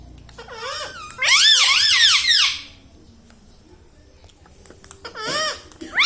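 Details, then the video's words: Household ringneck parrot that speaks words like mummy and radhe radhe. A loud, sustained stretch of repeated arched, nasal syllables lasts over a second and is followed by quiet. A shorter harsh burst comes near the end. "parrot talking mithu"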